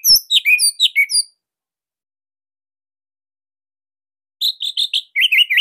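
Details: Bali orange-headed thrush, a tight, loud song used as training material: a quick string of falling slurred whistles, a long silence, then rapid looping wavering notes.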